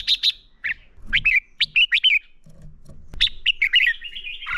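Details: Red-whiskered bulbul fighting song used to train birds: bright, punchy whistled notes in short groups, ending in a longer warbling trill, with faint low knocks underneath.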